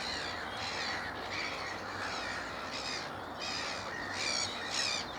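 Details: Juvenile black-headed gulls at Moors Pool wetland, Upton Warren, Worcestershire, England, on 13 June 2019: harsh, rasping squawks in bursts over a constant noisy colony chorus, with stronger calls near the end.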